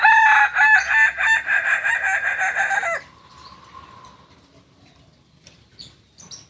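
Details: Kukuak balenggek rooster from Solok, West Sumatra, described as special class; a strong, multi-step crow of roughly eight quick linked notes over three seconds, then a fading low tone and scattered faint clicks.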